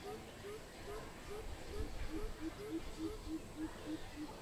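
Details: Greater coucal, recorded 16 April 2020, giving a long run of deep hollow hoots about three per second that step slightly lower in pitch as the series goes on, over low rumbling background noise.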